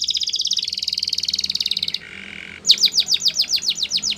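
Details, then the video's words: Russian canary giving a long high buzzing trill, a softer, lower rattling phrase, then a series of crisp, rapidly repeated downward-sweeping notes. "Russian Canary Singing !! Canary Bird Song"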